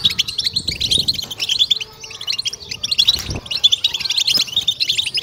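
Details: Goldfinches in 'bitbita' chorus, European goldfinch birds chattering in quick bright bursts, a short lull near the middle before the twittering resumes.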